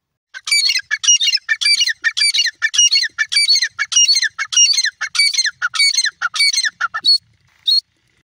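A francolin gives loud, harsh, squawking notes in a fast, steady series of about two per second, then a couple of last notes after a short pause.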